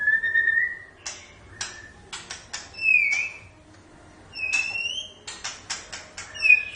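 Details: White-rumped shama alternating clear sustained whistles, some rising and some falling, with bursts of sharp ticking clicks between them; quiet background.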